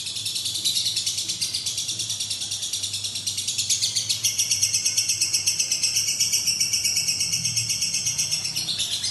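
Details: Lovebird in sustained ngekek song, a high, buzzy, rapid-fire chatter that runs without pause and grows slightly louder and more evenly pulsed midway, with a soft background hum.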